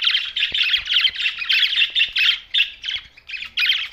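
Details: Close budgerigar chatter, a steady run of short buzzy warbled chirp bursts with brief gaps, loud and clear over a quiet background.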